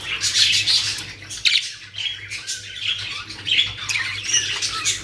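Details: Loud rasping squawks and chirps from caged budgerigars in Pakistan, coming in overlapping waves with a faint hum underneath.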